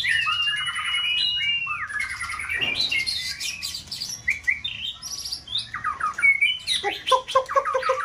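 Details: Kept contest white-rumped shama in peak season, fluffing its feathers, singing varied multi-faceted song to stimulate another bird: long sliding whistles open, then rapid shifting phrases of sweet notes, chatters and sharp trills, with lower mellow notes near the end.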